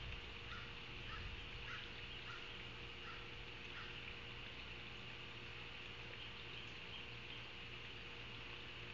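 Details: At a Savannah osprey nest on a live camera, afternoon of 9 August 2023: a short run of faint, high chirps in the first three seconds, then only steady background hiss and low hum.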